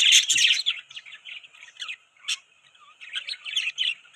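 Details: Several budgerigars chirping, a jumble of short warbled and scratchy chirps in quick irregular bursts, high-pitched, with brief quieter gaps.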